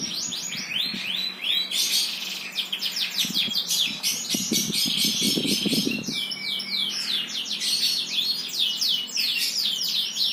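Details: Birds sing long, dense runs of rapid high descending chirps, with a brief whistled note midway and some low rumbling noise in the middle.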